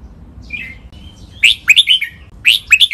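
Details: Captive-training song of a red-whiskered bulbul in the named double 23 counted notes, mae bot, lak wai and Pa La-u styles: a soft opening note, then quick loud chirping whistled notes in two clusters about one second apart.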